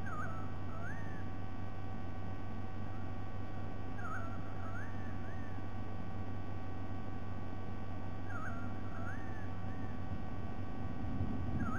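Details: White-bellied sea eagle recorded on 07 12 2020, giving faint, wavy, rising-and-falling calls in paired bursts roughly every four seconds, over a steady low hum.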